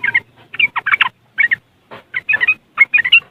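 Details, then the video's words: Yellow-vented bulbul in West Java, Indonesia, giving its riwikan chatter, recorded on an Android phone: short bursts of harsh, bubbly notes in clusters, with gaps between groups and a faint low hum underneath. "Suara Riwikan Burung Trucuk Sangat Jos Buat Pancingan"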